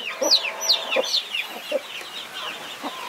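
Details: Brood of 21 chicks with their protective mother hen: sharp, high, downward-slurred chick peeps repeated rapidly, with low, short hen clucks beneath them.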